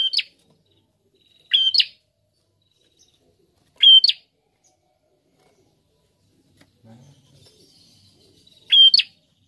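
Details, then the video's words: Lively prinia repeating a short high whistled note with a raspy rising end, four phrases over nine seconds with a longer pause and faint low sounds before the last. "Prenjak Gacor"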